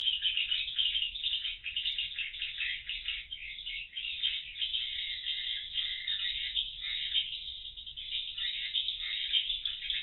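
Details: Swiftlets flying in the circulation room (void) of a cardboard swiftlet house, watched by CCTV before they enter the roosting rooms; a dense, unbroken chorus of high chittering clicks and twitters, many birds overlapping, with faint low hum beneath.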